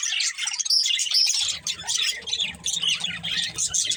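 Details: Colourful budgerigars, a breeding pair, give clear whistled chirps over continuous twittering; a low background hum comes in partway through.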